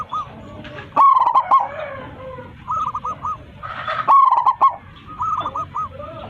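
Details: Local zebra dove with a big voice calling its flock: two loud, bubbling cooed phrases three seconds apart, separated by softer, evenly repeated curved coo notes.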